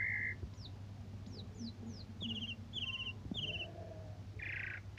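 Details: Asian pied starling singing in a morning-and-evening session, used as a tutor song to train and provoke other songbirds; a flat whistle, quick downslurred chirps, then sets of rasping buzzy notes and a harsh burst, over a steady low hum.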